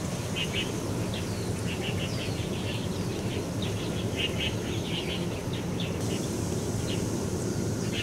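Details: Two thirsty Little Buntings at Metropolitan Park, Taichung City, Taiwan, on 9 November 2021, give short, sharp ticking chirps in loose clusters, several each second, over a steady low rumble of wind or distant traffic.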